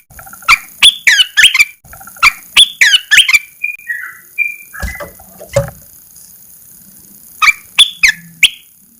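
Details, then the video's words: Caged red-eyed bulbul, first uncovered after 14 days of cage-cover therapy, delivering repeated runs of rapid, sharp, warbling notes, a few softer whistled tones midway, then a final short burst. "Kicau burung Merbah belukar Mata Merah"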